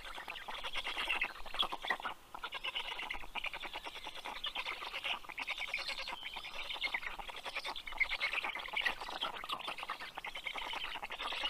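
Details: Black stork chicks at a nest in Karula National Park, southern Estonia, recorded by nest camera at 8:09 pm on 11 June 2023 as the male brings fish. A dense, raspy, rapidly pulsed chorus runs almost continuously, with one short pause.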